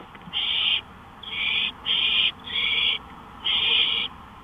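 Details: Porch owl at 1:53 AM on May 5, 2013 gives five rapid raspy hisses, each about half a second, in close succession with only short gaps between them.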